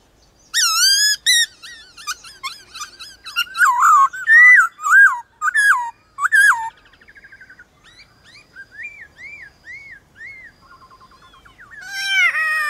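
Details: White-cheeked laughingthrushes competing in song with wild birds at dawn: a fast burst of varied loud whistled phrases, then a quieter series of evenly spaced arched whistles, ending with another loud phrase.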